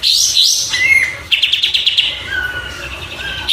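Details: Oriental white-eye on a tutor recording: a high jumbled twitter, a brief whistle, then a rapid pulsing buzzy trill fading into soft drawn-out whistles.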